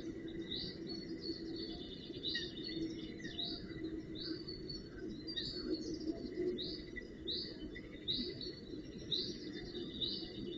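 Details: Fledgling Northern goshawks at the nest on 4 June 2018, attended by adults, utter a long, regular series of high, slurred notes about twice a second, with steady broadband hiss behind.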